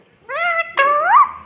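A talking parrot gives two drawn-out, high, nasal syllables, the second sliding upward before it fades, in a quiet room.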